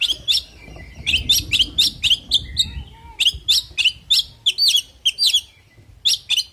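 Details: Fighting song of an oriental magpie-robin: rapid clusters of bright, high chirps and twisting whistles, delivered in tight bursts separated by brief gaps, over a soft low rumble.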